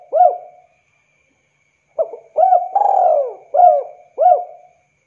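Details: Spotted dove in lively calling, summoning another dove that answers. Soft low coo notes, each opening with a short rising hoot, and a longer arched coo in the middle, repeated about once a second after a pause, with no other sounds.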